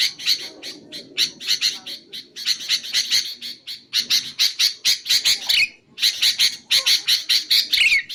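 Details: Chattering sooty-headed bulbul for luring wild birds and training caged singers: continuous harsh notes in loose phrases, one pause midway, and a couple of slurred whistled flourishes toward the close.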